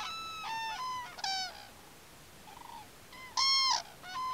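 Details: Common cranes at Campo Maior give loud, trumpeting, rolling calls in quick bursts, several birds overlapping, with rich harmonics and a brief pause midway.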